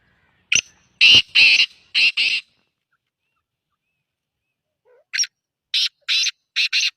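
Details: Black francolin giving its rasping call: loud broadband notes in a phrase of four, a silent gap, then another four-note harsh phrase.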